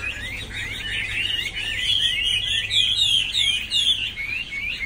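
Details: Chinese hwamei singing loudly, a continuous, tumbling stream of bright whistles and trills, rising in intensity toward the middle, with sharp high overtones and a soft low drone behind.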